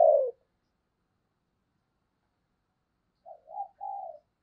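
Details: Spotted dove decoy bird calling to stir other doves into cooing: one downslurred coo, a long silence, then a three-part phrase of soft, low hooting coos, the last one drawn out.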